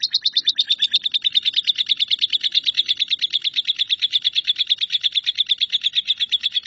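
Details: Caged lovebird delivering a 'nyambung kuntilanak' style song meant for tutoring shrikes: a single sustained rapid trill of high buzzy pulses, very even in rhythm and loudness, with nothing else audible.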